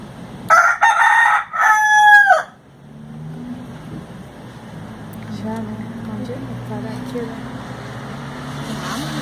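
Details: A rooster used as an alarm clock gives a loud, harsh cock-a-doodle-doo of about two seconds, broken into strained rising and falling parts, then low engine-like hum and distant background noise.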